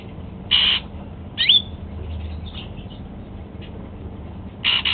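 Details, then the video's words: Caged male Golden-fronted Leafbird eating apple for breakfast, giving short harsh squawks and one quick rising whistled note, spaced irregularly, with a soft low hum behind. "Golden-fronted Leafbird"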